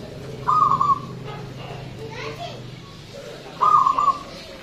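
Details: Loud, long-voiced local zebra dove singing actively, the recording meant as a lure for other birds: two short trilled, purring coo phrases about three seconds apart over a low hum and faint background voices.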